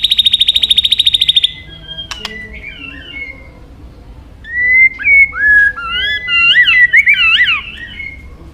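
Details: Murai batu, a white-rumped shama of the Medan type, in full song with mimicry: a fast buzzy pulsing rattle, a click, then a pause before a string of clear, bending whistled notes swooping up and down.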